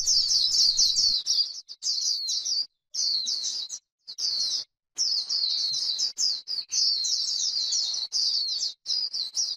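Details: White-eye líu song on grassland, a song that provokes other white-eyes: high, rapid chattering phrases, first long, then clipped into short bursts with clear silent gaps between them.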